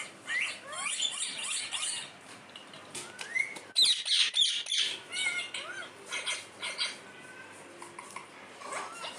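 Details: Parrot that talks and says "mummy", uttering rapid harsh squawks and rising whistled notes, with a dense burst of loud chattering near the middle.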